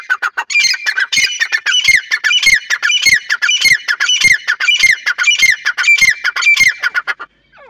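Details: Irani teetar, a partridge, calling in a rapid series of harsh, squawking notes repeated about every half second, bright and loud throughout, ending with a short quiet tail.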